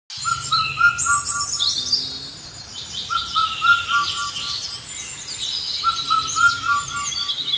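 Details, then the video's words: An Indian cuckoo gives its mellow four-note whistled phrase about every three seconds, over a busy chorus of high chirping songbirds. "Indian Cuckoo Sounds"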